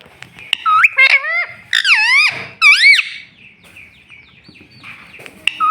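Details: Talking green ringneck parrot kept as a pet. It gives a quick, chattering series of loud, looping, voice-like syllables that rise and fall, then trails into softer mumbling and a final short bright note.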